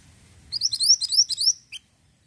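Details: Ashy tailorbird giving a short, loud run of about eight bright rising whistled notes over one second, ending with a single separate chip, against a faint low hum.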